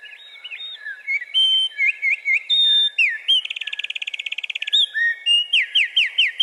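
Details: A male wren sings loudly to defend his territory: a rapid, varied outpouring of high, sharp whistled notes and chirps, a long fast rattling trill in the middle, then ringing downslurred notes repeated at the end.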